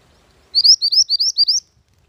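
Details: Mantenan gunung bird song used as a lure and master recording for training: a rapid series of about seven high, rising, slurred whistled notes lasting around one second, with a quiet background.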